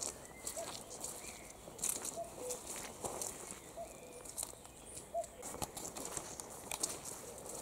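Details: Common cuckoo singing its soft two-note cu-coo, a higher note dropping to a lower one, repeated several times with gaps of about one and a half seconds. Faint, over a hissy outdoor background with scattered clicks.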